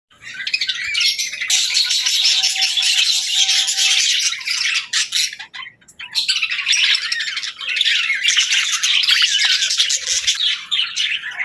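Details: A friendly, happy pet budgerigar chirping and singing cheerfully: dense, scratchy warbled chatter in the upper register, continuous for several seconds with a brief pause near the middle, plus a faint steady tone.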